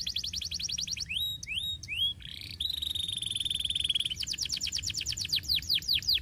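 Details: Canary song for training: fast repeated notes, a few rising whistles, then a long steady buzzy trill lasting about one and a half seconds, followed by quick descending note series.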